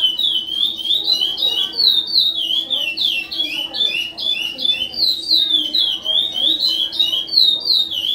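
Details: A captive-bred chestnut-bellied seed finch of the Ana Dias song type, 2020/2021 season, sings a fast, unbroken run of rich, sweet whistled and warbled notes, about three each second, over a faint low hum.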